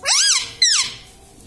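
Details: Talking pet parrot giving two quick squawked syllables, each a rising then falling harmonic note, the second starting abruptly, followed by a fading tail.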